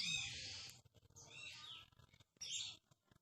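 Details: White-rumped shama of the Aceh type, called murai batu Aceh and said to be rare, recorded in 2018: bright high chattering and whistled phrases in three bursts, separated by short pauses and faint clicks.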